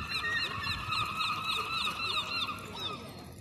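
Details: Herring gull chick on an empty street in Eastbourne, UK, during lockdown, refusing bread; a rapid series of short, high, thin squeaky peeps repeated several times a second over faint background noise.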